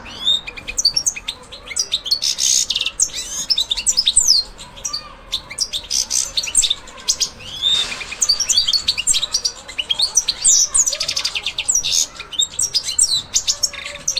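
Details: European goldfinch gradually coming into breeding condition before the breeding season, singing a long, continuous, fast twittering song of sharp high chirps, tinkling notes and brief buzzy bursts, with only short pauses between phrases.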